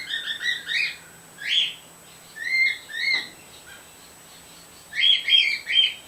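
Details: Pet white female bird calling through a screen door, a male companion beside her: bursts of short harmonic chirps, some flat and whistled, some rising, in irregular groups with brief silences between them, plus a faint low hum.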